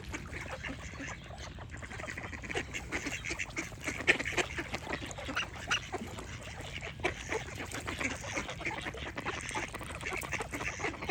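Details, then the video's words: Ongoing duck quacking, short scratchy calls with a few louder ones, under a bright layer of high bird song that runs through the whole stretch. "Cute Duck Quack Sound Effect with Birds Singing"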